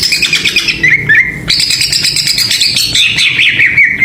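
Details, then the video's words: Greater green leafbird singing as a lure to provoke other birds, a dense, high, buzzy warble with quick chattering notes and short whistled slides, continuous and loud throughout, with background hum. "PANCINGAN CUCAK IJO ‼️ AWAS NGAMUK BIAR GA BISUU"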